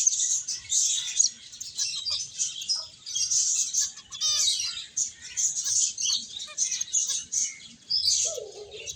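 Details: Finches at play and feeding keep up a lively, high-pitched chirping chorus with short pulsed bursts. A brief low buzzy sound appears near the end.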